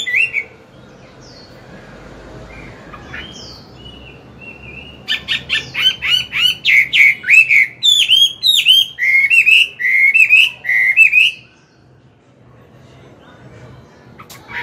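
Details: Morning song of an old wild-caught Chinese hwamei, played to train a young bird: after scattered short whistles, a rapid run of about fifteen loud, clear, slurred whistled notes in steady rhythm, then quiet hum.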